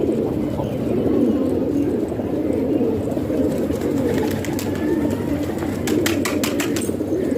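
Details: Pet pigeons in a house in Pakistan, a flock cooing continuously in a low, overlapping rumble. A burst of rapid clicking and rustling comes near the end.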